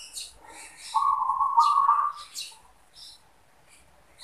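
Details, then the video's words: Zebra dove, perkutut, manggung song: a single rolling trilled phrase lasting about a second, surrounded by soft clicks and quiet background. "Zebra Dove | Perkutut manggung"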